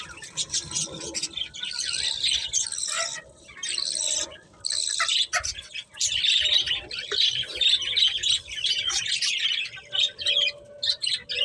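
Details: Several colourful budgies chattering together, a near-continuous warbling of buzzy, scratchy high chirps in long bursts separated by short pauses.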